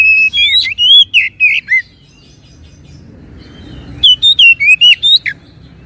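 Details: Oriental magpie-robin song used as a lure to get reluctant birds singing: two bursts of loud, clear whistled notes, some rising and some falling, about six per burst, separated by a quiet gap with faint low rumble.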